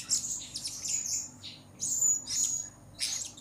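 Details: Blue-crowned hanging parrot calling actively, recorded for luring: high, shrill twittering phrases in three or four loud bursts, each slightly buzzy with thin whistled tones, over a faint low hum.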